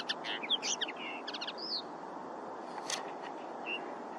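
A common linnet gives a quick run of twittering, chirping notes and short trills, broken by brief pauses, over a steady background hiss.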